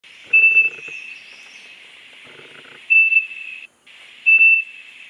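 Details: A female Siberian thrush foraging at Dalat, Vietnam gives three thin, high, level whistled notes a few seconds apart over a steady insect-like drone.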